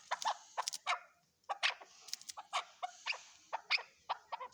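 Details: Chukar partridge calling in a series of short, clipped chuk notes in uneven bursts, some doubled, over faint background hiss.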